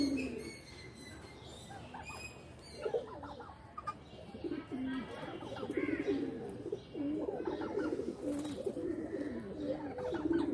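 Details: Pigeons active in a loft, low coos mixed with flutters and scattered clicks, a busy murmur of several birds.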